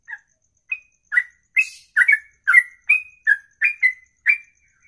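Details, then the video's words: Songbird singing a ropelan, a long song in one breath of over two minutes; sparse opening notes build into a quick series of ringing whistled slurs, about two per second. "Inilah Ropelan Sekali Nafas 2 menit lebih"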